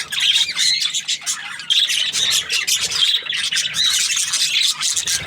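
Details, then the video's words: Happy budgerigar chirps in pulsing bursts of high, scratchy notes mixed with clearer whistled squeaks, with short dips between phrases. "Happy Budgie chirping sounds"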